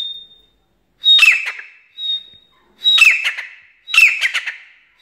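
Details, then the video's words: Black francolin of the Irani type, calling three times about every second and a half: harsh, grating bursts rising into a high sharp note, preceded by thin steady whistle tones. There is no other sound. "Teetar | IRANI Teetar speaking"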